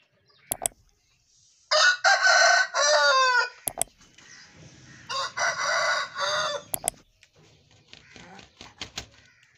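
Aseel roosters crow in turn, each a loud, harsh, drawn-out crow of several syllables, the second answering the first; sharp clicks and faint background noise between.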